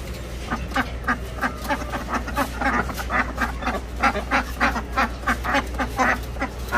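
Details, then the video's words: Ducks kept for sale at a shop, quacking loudly in a rapid, irregular series of harsh calls, about three per second, over a steady low hum. "amazing sounds ducks"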